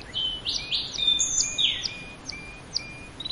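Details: A canary sings varied phrases of sweeping, slurred whistles, buzzy rising notes and short flat tones, with sharp high chips spaced throughout.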